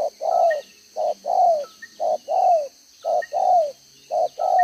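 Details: Spotted dove kept as a decoy in Vietnam, with a two-row spotted neck collar, giving 'đồng gáy 1 hậu' cooing, 11/6/2023. Low paired coos repeat about once a second: a short note, then a longer one that slides down. Faint high chirps sound behind.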